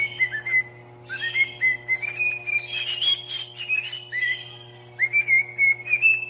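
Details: Pet parrot singing a song: a long series of clear whistled phrases, sliding up and down in short runs with brief pauses, over a steady low electrical hum.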